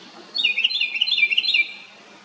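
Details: ['A single loud house wren burst, a fast bubbling chatter of rattling, warbled notes lasting over a second against a quiet backdrop.']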